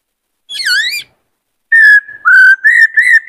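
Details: Singing and dancing in a cage, a roused male white-cheeked laughingthrush trains a wild-caught youngster. A bright swooping whistle is followed, after a gap, by four loud, level whistled phrases rising slightly in pitch.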